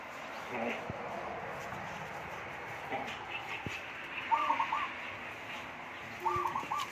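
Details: Zebra dove in Thailand, a wild-caught, unnamed pet with a fairly deep voice, singing in the one-kuk-then-two-kuk style. Two brief bursts of rolling coos come about two seconds apart amid a man's talking and room noise.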